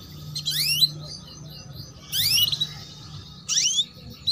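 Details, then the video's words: Female canary chirps meant to prompt young males to start singing: three separated bursts, each a bright, steeply rising sweep with a second fainter sweep below, about one and a half seconds apart, over low steady hum. "PANCINGAN Kenari BETINA Cuit Cuit || MASTERAN Kenari PAUD Agar Cepat Bunyi"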